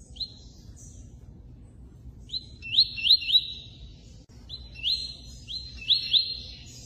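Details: A Double-collared seedeater (Sporophila caerulescens) sings bright, high phrases of quick slurred whistles and trills, given in bursts a couple of seconds apart over a low background rumble.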